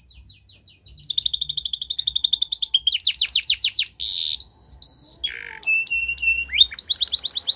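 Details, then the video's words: Training song of a Belgian canary: long fast rolling trills, a rough buzzy burst, held whistles, a low descending note, spaced repeated tones and a final quick trill. "Belgian Canary | The Best Canary Training Song"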